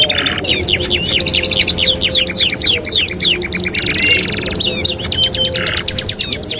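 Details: Canary master song for training: runs of quick swooping rolled notes, a harsh buzzy block midway, then more fast trills and a short high whistle, over steady low hum.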